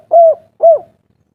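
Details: Spotted dove in agitated 'kuk 3' style, a local wild voice used as a lure so other doves reply. Two separate mellow coos, each dipping at the end, with a short pause between and no other sound.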